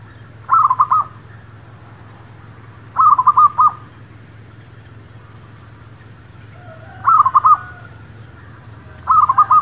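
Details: Zebra dove lure call for trapping birds: four evenly spaced clusters of quick, stuttering cooing notes, each cluster of three to four notes, separated by roughly two to three seconds of quiet.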